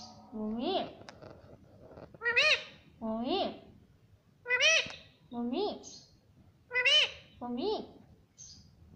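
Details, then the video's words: Pet parrot talking, repeating "mummy" over and over: about nine short two-part rising-and-falling voiced words, each roughly half a second, spaced irregularly through the stretch against a quiet background. "Mummy Papa Bolne Wala Tota || Talking Parrot"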